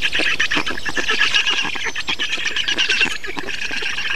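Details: Black storks in Estonia, 2 June 2019, during feeding: a constant chorus of wheezing, squawking calls delivered quickly and densely.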